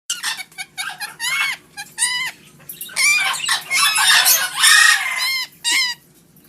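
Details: Parrots in a pet store, several loud harsh squawks and nasal rising calls in quick bursts, overlapping at times, with a low steady hum beneath.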